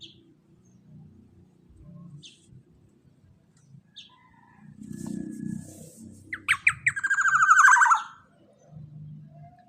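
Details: Quiet rumbling and faint chirps give way to a black-naped oriole's burst: quick stuttering notes, then a loud, rasping nasal call that slides downward.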